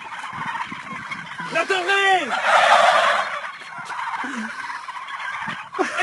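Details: Turkeys in a group making noise together. A rolling, bubbling gobble sweeps downward near the start, followed by a loud noisy rush and scattered short calls.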